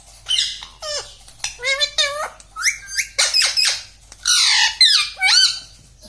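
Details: Pet parrot indoors mimicking words such as mummy, papa and radhe: shrill, nasal, speech-like phrases of two or three syllables, sliding up and down in pitch, delivered in quick bursts with brief silences.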